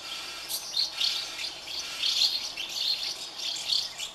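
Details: Chicks in a colony of thirty house martin nests beg while parents feed them: a constant high, thin twittering chorus, with louder bursts of chirps roughly every second as many young call at once.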